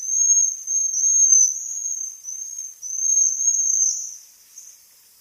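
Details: Bohemian waxwing giving a long, continuous, high, thin trill. It wavers slightly for about four seconds, then fades.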